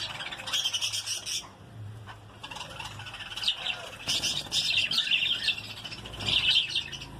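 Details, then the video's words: Many lovebirds chatter in a breeding colony, a dense stream of high, shrill chirps and squeaks that swells in bursts. A low hum runs underneath. "Love birds (Baggies) colony breeding"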